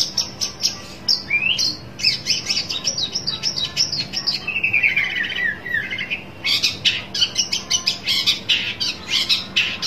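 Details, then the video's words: Shrike calling to find a rival, pouring out a varied stream of chirps, harsh rasps and slurred whistles, with a descending warbled phrase in the middle before rapid scratchy notes resume. "burung pentet cari lawan"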